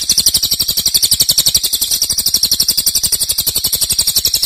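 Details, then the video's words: Cililin singing a loud, long-lasting burst, used as master song for training songbirds: a dense, high, rapid stream of sharp chirping notes repeated many times a second, steady and unbroken throughout. "Cililin nembak keras dan Rafat durasi fanjang"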